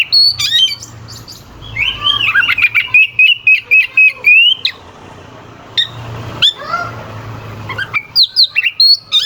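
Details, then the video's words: Oriental magpie-robin (kacer), a competition songbird, in full harsh, sharp song used as a lure to provoke rival birds into singing. Loud varied whistled phrases, a run of rapid repeated notes, sharp clicks and quick chips, over a low steady hum. "Suara kacer gacor NGEPLAY KONSLET pancingan kacer ampuh bikin lawan ikut EMOSI"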